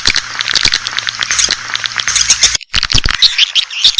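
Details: Swiftlet lure call for drawing in Asian swiftlets: busy high-pitched chatter of scratchy chirps and ticks, a brief gap midway, with a faint low hum beneath the first half.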